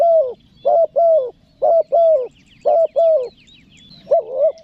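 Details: Spotted dove giving a clear pesom calling coo in the pressed nguku style, used to lure wild doves: low, hollow paired coos, each note dipping slightly, repeated about once a second, with faint higher chirps from other birds behind.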